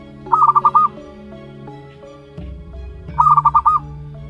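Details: One-month-old young zebra dove of a local wild strain: two bursts of five quick, pulsed cooing notes at mid pitch, each burst under a second, about three seconds apart, over steady low humming tones.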